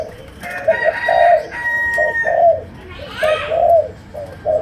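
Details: Malaysian spotted dove singing a cooing song in the sấm đồng, chiêu gù style. Low, throaty coos repeat in short phrases roughly once a second. Near the end a rising, sweeping call from another bird breaks in.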